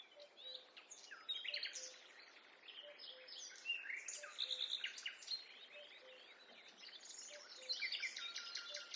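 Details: Birds singing in a forest during a peaceful walk: several overlapping high chirps, whistles and trills in dense chorus, with a faint low repeated note in the background.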